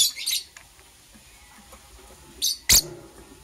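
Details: Green and blue lovebirds preparing for egg laying, in the morning: a short burst of shrill, high chirps, a pause of near quiet, then two more sharp, piercing chirps close together.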